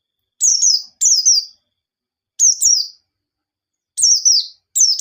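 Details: Lure recording of a white-eye in energetic forest-style song with sharp notes, meant to start untrained birds singing: five bright, high, down-slurred double chirps spaced by gaps of about half a second to a second.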